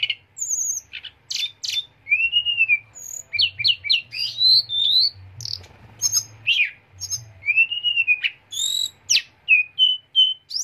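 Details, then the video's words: A lark sings a sharp, rolling, fast and varied run of high whistles, slurred notes and clipped chirps in quick bursts, with a faint low hum underneath. "TELEDEKAN GUNUNG SUARA TAJAM NGEROLL TEMBAK"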